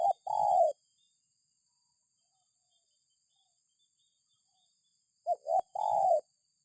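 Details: Spotted dove calling as a lure to draw other birds into calling. Two separate cooing phrases, one at the start and one near the end, each with short lead-in notes and a longer, slightly falling, mellow coo, with quiet gaps between.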